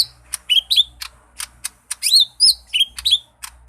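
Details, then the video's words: Lesser green leafbird giving short rising whistles and sharp chirps, interspersed with quick clicking ticks in an irregular rhythm. "Burung Aneh Cucak Ijo Mini istimewa"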